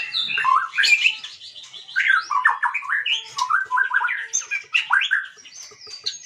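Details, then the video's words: White-rumped shama singing as a provoking lure for other songbirds: fast, varied phrases of whistles, chirps and rolling warbles delivered almost without pause. "Pancingan murai batu 🔥 Naikan emosi burung auto ikut gacor"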